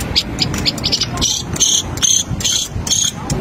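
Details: Long-tailed shrike song in the 'tembakan' style. Short, harsh, high chirps come in quick bursts, roughly two or three a second, over a steady low hum of background noise.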